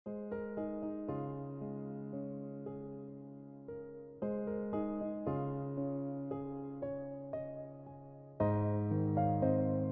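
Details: Gentle electric piano music plays with soft repeated chords throughout, and no animal sounds are heard.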